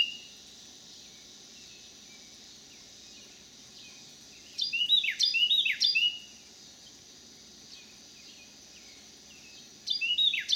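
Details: A Carolina wren, one of a resident pair, sings on a back deck in St. Louis County, Missouri, on 26 July 2018: loud rolling bursts of quick downward-swept phrases, repeated about three times, then again after a pause, over insect drone.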